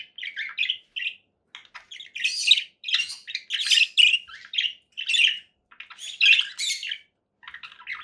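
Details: Pet conure parakeet chirping in rapid, scratchy bursts, short notes clustered in quick runs with brief pauses between them.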